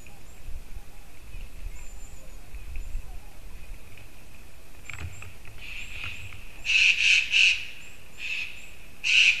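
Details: White-tailed eagle at 07:55 on 9 October 2019: after a quiet, noisy start, a rapid run of sharp yelping notes builds, three in quick succession, then single yelps. Low background rumble and a faint knock.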